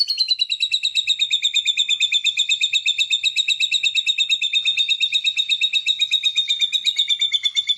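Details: Competing white-rumped shama delivering song material: a continuous, fast, even trill of high, ringing notes, nearly three per second throughout, slightly wavering in pitch and unbroken for the whole stretch.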